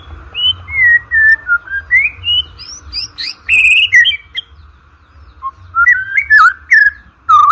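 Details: Competition-training song of a white-rumped shama: pure whistled notes stepping up and down, a loud buzzy burst near the middle, a short pause, then rapid rising slurs, with a faint constant hum underneath.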